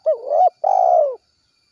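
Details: Spotted dove calling its companions with a two-part coo: a short wavering note followed by a longer, steady, low hollow coo, against a silent background with a faint high steady tone.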